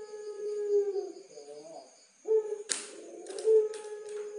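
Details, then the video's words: Barbary dove of the puter pelung type giving a master song: low, mellow cooing with a long drawn-out hum, then two shorter steady coos, with a few sharp knocking clicks partway through. "Suara Masteran Puter Pelung Istimewa"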